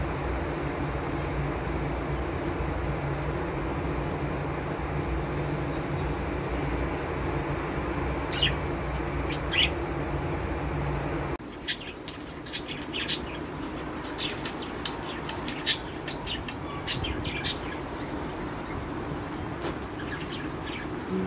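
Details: Budgerigar (Melopsittacus undulatus), chirping calls.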